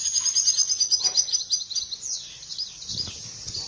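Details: Goldfinch mating song, after which the female is said to adopt the mating posture: a quick run of repeated thin, high chirps, then a smoother sliding phrase, with faint low rumble behind.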